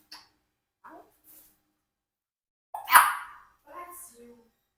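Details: Pet Congo African grey parrot, four years old, indoors: a few soft scattered sounds lead to one sharp, explosive, hissing sneeze burst, followed by a short murmured voice-like sound.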